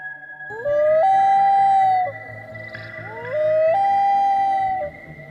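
A loon gives two long, eerie wailing notes, each sliding up before holding steady for about a second, over a low droning hum.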